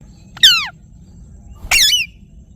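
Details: Parrot, described as a ringneck, giving two harsh, descending harmonic screeches about a second apart, each sliding down from high to lower pitch, with a quiet low background hum.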